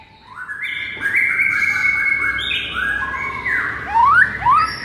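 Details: White-rumped shama (murai) lure recording meant to rouse a sluggish bird: overlapping rich whistled phrases stepping between pitches, ending in quick rising slurs.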